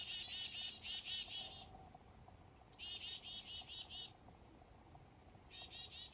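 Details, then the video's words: Morning call of black-capped chickadees up north in fog: a series of rapid, harmonic buzzy notes, a pause, one high thin note, then six more buzzy 'dee' notes and a final short buzzy burst. "Blackcapped Chickadees & Morning Fog"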